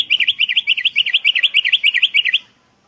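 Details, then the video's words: Sooty-headed bulbul lure sound: a fast, even trill of many quick up-and-down notes running for about two and a half seconds, then stopping abruptly. "Suara PIKAT Burung Kutilang GACOR Bersautan || Suara Masteran Kutilang Terbaik"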